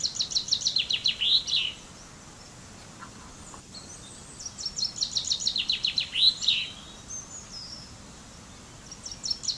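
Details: Common chaffinch (Fringilla coelebs) repeating its song: two complete descending rattles of sharp notes, each with a flourished ending, the second after a pause of several seconds, and the start of a third at the end.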